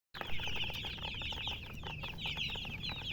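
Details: Baby chicks chirping: a rapid, nonstop stream of high, quick up-and-down peeps from several chicks, overlapping each other, over a low rumbling background.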